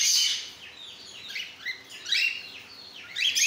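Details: Cockatiels of several colour mutations kept together, giving bright chirping calls that rise and fall, in short bursts roughly every second, with a quiet room background.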